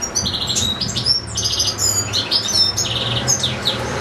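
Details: Caged European goldfinch singing a long nonstop recital, kept alongside another goldfinch and two young goldfinch-canary hybrids; fast twittering phrases with buzzy trilled notes and bright high chirps, a low steady hum underneath.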